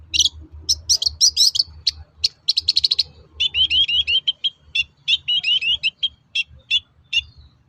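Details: Long-tailed shrike (pentet, cendet) singing vigorously, used as a lure to make other shrikes answer: a rapid, chattering run of short high chirps and twittery notes, bursts of quick repeated syllables, a low hum beneath.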